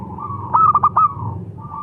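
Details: Local zebra dove delivering one brief phrase of four mellow, ringing coos with a soft hum underneath.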